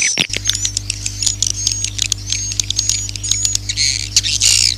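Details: Swiftlet lure call for drawing swiftlets in: dense twittering chatter with buzzy, high, slightly rising trills repeated in quick bursts over a steady low hum.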